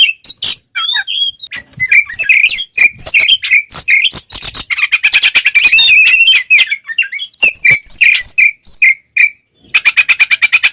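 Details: Oriental magpie-robin in full fighting song, used to provoke rival birds: dense, varied chatter of whistles, harsh buzzes and rapid trills, with a fast repeated ticking series near the end.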